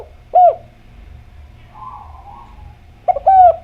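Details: Clear-voiced Javan derkuku, a spotted dove, sings as a lure for other doves. One brief arched coo, a long quiet gap with a faint low warble, then a stuttering pickup and a long, smooth, husky coo to close.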